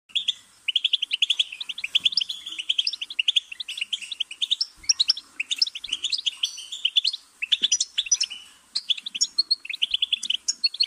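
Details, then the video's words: Goldfinch singing a long, rapid twittering song of bright, liquid notes, repeated bursts with brief pauses, no other sounds. "Goldfinch's Singing"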